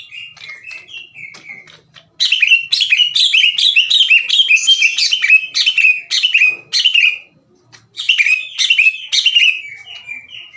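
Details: Greater green leafbird, past the chattering phase and singing its own fill-in phrases, throws out harsh aggressive bursts that invite other leafbirds to fight. Soft slurred notes build into a loud, rapid series of descending whistles.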